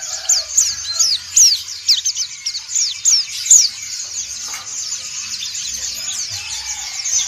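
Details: Many white-eyes of the dakun and montanus kinds sing ngriwik in a gathered group. Sharp, high, whistled flicks stand out above a steady twittering chorus, the louder notes coming in a loose, uneven run before fading back into the general chatter.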